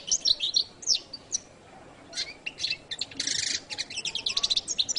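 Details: Singing goldfinch with scattered high chirps at first, a pause, then dense bursts of buzzy, rattling notes and quick twitters building toward the end.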